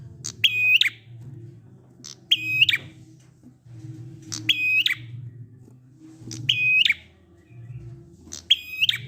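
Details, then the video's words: Prinia singing in the 'ngalun' style, aimed at prompting silent prinias: five evenly spaced phrases about two seconds apart, each a click then a drawn-out flat whistle ending abruptly, against a continuous low hum. "Prenjak ngalun ampuh 100% buat prenjak macet agar ikut bunyi"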